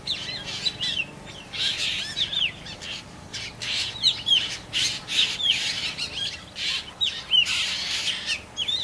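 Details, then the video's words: Young black drongo calling with short, sharp downward-curving whistles repeated roughly every half second, interleaved with rushing bursts of hiss. "Calls or Song of Juvenile of Black drongo"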